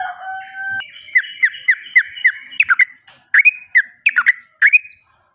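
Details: Sooty-headed bulbul song meant to coax silent or newly caught birds into singing: a flat tone, then a series of short falling whistled notes, speeding into clusters of sharp clicky notes and bright upslurred whistles.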